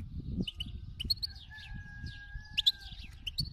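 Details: Wild-type 'khalawi' European goldfinch giving short high chirps and twitters at intervals, with a level whistled tone in the middle and steady low rumbling noise underneath.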